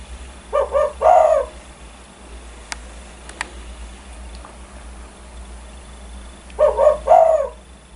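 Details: Vocal spotted dove credited with stirring nearby birds to call: a two-part coo phrase, a quick note then a drawn-out coo, heard twice about six seconds apart, with faint clicks and low background hum between.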